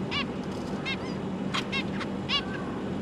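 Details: Zebra finch pair with three juvenile and three newborn young, December 2022, busy feeding: rapid overlapping nasal honks and thinner chirps from several birds, roughly eight notes, above a constant low hum.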